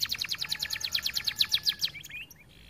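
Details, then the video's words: Singing canary kept for training other canaries to sing, part of an aviary: a rapid series of about eighteen bright chirped notes, roughly nine per second, then a brief softer trill before fading out. "Kenari gacor cocok untuk masteran"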